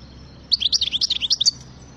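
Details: European goldfinch delivering a brief, rapid phrase of high, bright, jangling twitters, about a dozen notes in one second, over a faint low hum.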